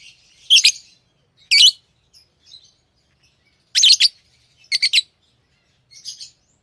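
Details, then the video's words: Tamed lovebirds make sharp, raspy high chirps, often in quick doubled bursts, spread irregularly across the recording and separated by silent pauses. "Love birds Sounds | lovebirds chirping sounds"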